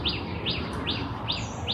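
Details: At a local birding patch in Chiang Mai, Thailand, beside a monastery, a Common Tailorbird repeats a sharp, high "tweet" about every two-fifths of a second, five times in a row, over a low background rumble.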